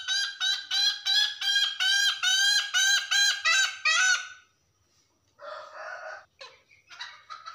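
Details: Hen calling the rooster, a call known locally as ngekek: about a dozen loud, harmonic, nasal cackling notes repeated rapidly for four seconds, then a pause and rougher, broader squawking bursts toward the end.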